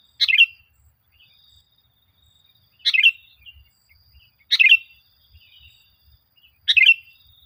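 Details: Sooty-headed bulbul, played as a lure to make caged birds sing: four brief bubbly chirped phrases at irregular gaps of two to three seconds, a faint high tone in the background.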